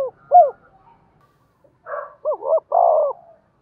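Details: Decoy spotted dove with the 'giọng đồng' voice, used to lure wild birds. It gives a short coo fragment, a pause, then a fuller phrase: a rough opening note, a stuttered double coo and a long, mellow trailing coo.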